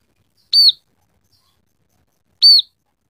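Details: Scaly-breasted munia giving two clear, high chirps about two seconds apart, each one brief and slightly falling, with silence between them.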